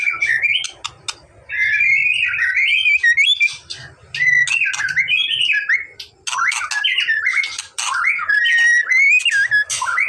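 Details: White-rumped shama, a bird sung to provoke a response, delivering long warbling whistled phrases broken by sharp clicks and harsh bursts, over a low steady rumble.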